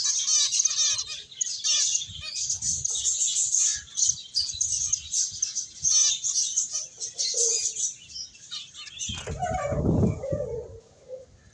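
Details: Finches chirping as they play and eat, a busy stream of shrill, rapid twitters for most of the time, then a loud low rumbling knock near the end.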